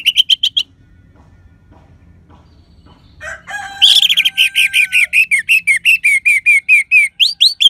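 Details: Orange-headed thrush (Anis Merah, Geokichla citrina), a strong crystal-voiced singer used as a lure to stimulate sluggish or silent birds, gives bright, high, clear notes: opening phrases, a brief gap, then a fast run of sharp, repeated whistled chips.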